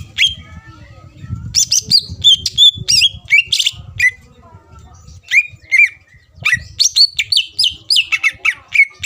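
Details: Lively greater green leafbird song meant to anger rival birds so they answer: rapid chattering whistles and slurred downward notes in bursts, with low rustling and knocking beneath.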